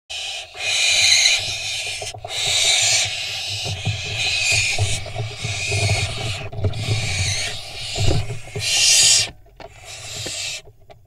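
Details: Barn owl fledglings at a nest camera in Israel on 25 June 2021, jockeying for position before a prey drop; harsh broadband hissing bursts from several young, overlapping and irregular, with low background rumble.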